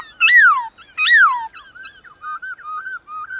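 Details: A black-throated laughingthrush sings in the wild in the morning, giving two loud, rich whistles that arch up and slide down, then a run of softer, shorter whistled notes.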